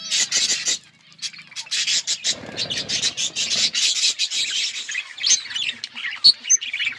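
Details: Several budgies feeding together in a flock, keeping up busy chattering: rapid buzzy chirps and warbles layered over each other, briefly dropping to a softer murmur before rising again, with a few clear high notes near the end.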